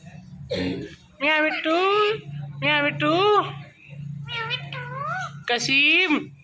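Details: Male and female ringneck parrots kept as pets, mating in front of a mirror indoors: a series of loud, drawn-out, meow-like nasal calls, each bending up and down, about five calls over six seconds, with a low hum behind.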